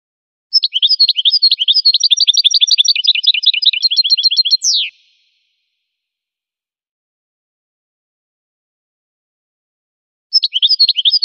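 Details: Goldfinch song: a rapid, steady run of high twittering notes lasting about four seconds ends in a sharp descending slur. Silence follows, then the same fast twitter starts up again.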